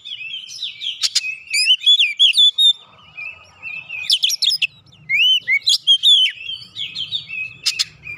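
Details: Oriental magpie-robin (kacer) singing as bait to make birds sing: sharp clicks, rapid whistled runs and downward slurs in irregular bursts, faint low hum beneath.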